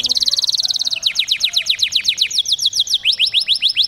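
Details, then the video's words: Male Belgian canary singing Taghreed song used to prime females for breeding: high, bright rolls opening with a fast buzzy trill, then slowing to repeated downward-sweeping notes, about four or five a second. "Canário macho Taghreed para processamento de fêmeas"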